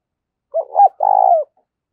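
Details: Spotted dove, decoy in the thổ voice style, uttering one fighting phrase. Two brief hoots lead into a long purring coo that dips at its close. Nothing else is heard.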